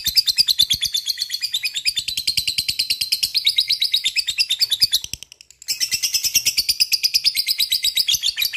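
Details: Lovebird delivering long, busy ngekek chatter used to provoke other lovebirds to sing: a dense, fast stream of harsh high ticking notes, several per second, broken once by a half-second pause before resuming just as intensely.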